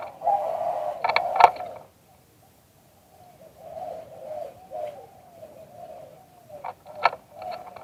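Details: Spotted dove, live recording of auspicious liw tan cooing: a loud burst of clicks and knocks at the start, a brief silence, then soft drawn-out coos returning with more sharp clicks.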